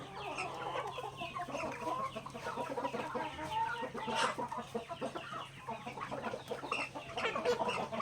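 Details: Native backyard chickens pecking grains during their daily meal, a continuous babble of clucks from the flock with scattered sharp pecking sounds.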